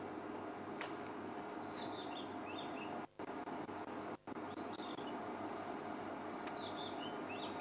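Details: A robin sings loudly during an elephant-herd safari, brief high slurred warbling phrases in three separated bursts, partly masked by steady hiss; robins have a varied repertoire and mimic other birds' calls.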